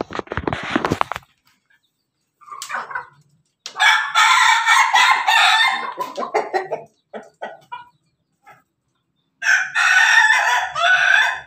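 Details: Pelung Bangkok chicken on 17 May 2024 giving broken laughing-style crowing: several loud, raspy bursts separated by pauses and short choppy notes, the final phrase strong and buzzy.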